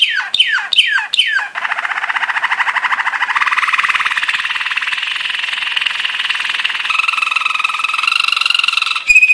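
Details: Waterslager canary training song: four quick falling whistles followed by a long, fast bubbling roll that rises slowly, ending in a steadier two-toned rolled passage.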